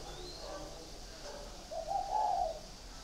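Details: Caged spotted dove, Ba Vì district of Hanoi, Vietnam; one warm, low rolling coo phrase near the end after quiet hissing background.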